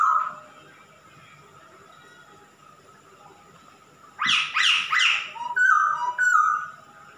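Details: Male masked laughingthrush: one faint whistle, a long quiet gap, then a burst of four harsh chattering notes followed by short, clear whistled notes.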